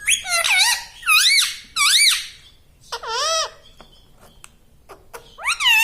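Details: Talking pet parrot imitating human words such as "mummy": loud, harmonic, wavering syllables that dip and rise, grouped in short phrases with brief pauses, plus a few sharp clicks between.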